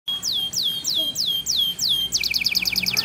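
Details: Small canary singing in the Indonesian 'cengkok ngawet' style, a contest bird with a 'shooting' song. It gives a run of clear whistled notes, each sweeping down and flattening out, several per second, then switches to a faster rattling trill of short high notes.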